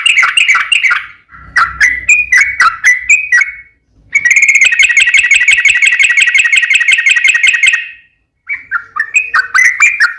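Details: Yellow-vented bulbul in long rapid-fire song used as a lure for other bulbuls; choppy warbled phrases, a long sustained run of fast bubbling chatter, then more quick gurgled notes.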